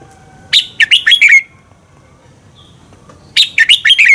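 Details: Lure song of a red-whiskered bulbul in the double-twist style, meant to excite birds into fighting song: two clear phrases of quick, bright whistles sliding downward, the second cut short, with a faint note between.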